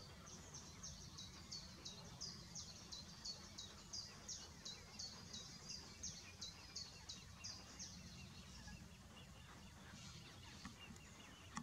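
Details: Eurasian coot with young being fed in summer 2016: thin, high chirping peeps repeated about twice a second for several seconds, over a steady low rumble of wind or distant traffic.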